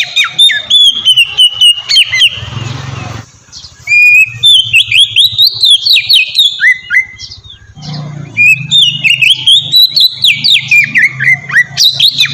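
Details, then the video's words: Oriental magpie-robin song played as a lure for captive magpie-robins: bright whistles and chattering trills, with a low humming background noise across much of the recording and a short dip in the middle. "suara burung kacer ngeplong merdu sangat ampuh buat pancingan kacer bahan bikin cepat gacor"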